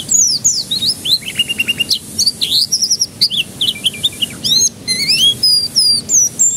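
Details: Canary song played to get young canaries singing: long, lively high warbling with fast trills, rolling notes and whistled slides, almost continuous throughout.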